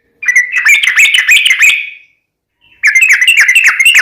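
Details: A sooty-headed bulbul sings two dense bursts of rapid, chattering, bubbly whistles, each under two seconds long and separated by a brief silence. The song is fighting-style ropel phrasing.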